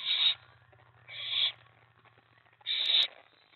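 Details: Owl at the nest on 24 May 2017, around a 1:15 AM mouse delivery and a 1:20 AM rat delivery to the owlet: three harsh, hissing screeches, each about half a second long.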